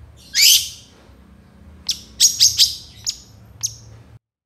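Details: Long-tailed shrike singing actively, a loud master recording for training songbirds: a harsh high burst, then a pause and a run of short sharp chips and clicks with brief gaps.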